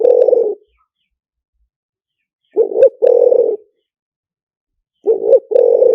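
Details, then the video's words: Spotted dove decoy cooing, lìw tan style: deep hoarse phrases of a short swelling note and a longer level coo, coming every two and a half seconds against a quiet background. "เสียงต่อนกเขาใหญ่หมานๆ, เสียงนกเขาใหญ่ ต่อเข้าเร็ว เสียงหลิ่วตัน"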